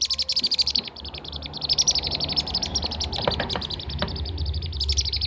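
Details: Blue-tailed bee-eater calls used as a lure to attract birds: fast, high chirps repeated several times a second in dense, chattering runs, with a low steady hum beneath.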